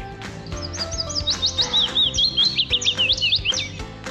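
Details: A male Willow Warbler singing high in a treetop during the early-morning dawn chorus near an old hilltop church in Buckfastleigh gives one sweet, fluty, slightly sad phrase of quick notes sliding down the scale over about two and a half seconds, with soft music underneath.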